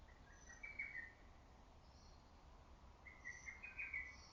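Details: Lesser cuckoo heard among trees in early summer; two moderately loud whistled phrases of rapid broken notes, one near the start and one near the end, with faint high chirps from other birds and soft background hiss.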